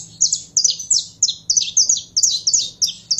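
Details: Saffron finch in a rapid, excited song of sharp, high chirps and short trills, repeated in bursts about three times a second, with a faint steady low hum underneath.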